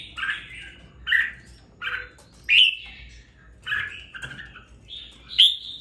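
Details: Hand-raised red-whiskered bulbul, two weeks in care, showing some fire in its voice: loud chirped and warbled phrases roughly every second, a few climbing to clear whistled tops, over quiet low background noise.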